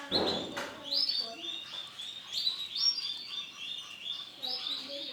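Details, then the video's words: Singing white cock canary: loud, ringing whistled phrases and sliding trills, opening with a brief low thud. "CANARY JANTAN WARNA PUTIH"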